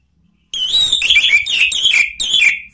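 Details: Lure song of the Orange-headed thrush for cage-bird training, ngeplong and ngeriwik style: loud ringing whistles in quick, uneven bursts, notes sliding up and down, running almost without pause.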